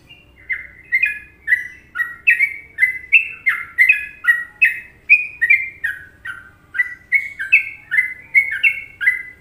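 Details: Sooty-headed bulbul (trucukan), Indonesia, performing a favoured Trucukan rhythm as masteran: long unbroken string of bubbly whistled notes, each sliding down in pitch, alternating high and low, about three per second.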